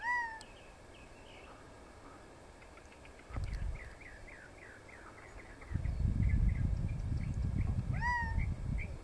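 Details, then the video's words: Quail making short calls in the desert at South Mountain, Pima Canyon Trail: a clear, slurred whistled note at the start and end, with soft high chirps between and rumbling wind noise underneath. "Quail Call"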